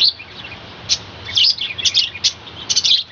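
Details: Dense, lively twittering from a colony of caged budgerigars on a balcony at morning, rapid overlapping high chirps and warbles almost without pause.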